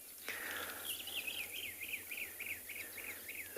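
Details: On a 4 September sunset game drive in Tswalu Kalahari Reserve, South Africa, a Brown-crowned Tchagra gives a quick run of about ten clear, down-slurred whistled notes, roughly three a second, over steady background hiss.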